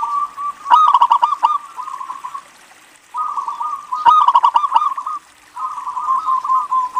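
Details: Local zebra dove singing to draw other doves into song: three phrases, each opening with a loud, stuttering cluster of clipped coos and trailing off into a quicker, softer chain of low notes, with short pauses between.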